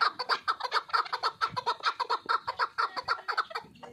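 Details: Chukar partridge, a fighting and hunting bird, giving a fast run of hoarse chuckling notes, about a dozen pulses in four seconds, each doubled and clipped, steady in pitch.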